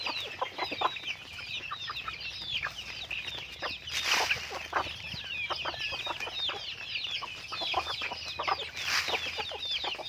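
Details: Chickens kept on a farm, a busy flock giving many short clucks and chirpy peeps in overlapping bursts, with a few louder squawks standing out around the middle and near the end.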